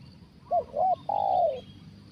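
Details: Spotted dove in a trapping session with a decoy bird, a big-voiced 'kuk satu' caller: two short rounded coos, then one long, steady, slightly falling coo, loud and close, with a low hum underneath.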